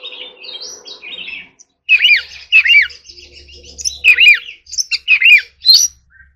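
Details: Oriental magpie-robin in song practice, delivering a forest-style voice: soft warbling opening, a short pause, then loud arched whistled phrases repeated about every half second with sharp high chips between.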